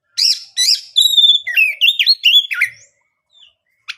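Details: Oriental magpie-robin song used to challenge other birds into replying: two rising chirps, then clear sustained whistles that break into a rapid sequence of slurred, wavering whistled notes before going quiet.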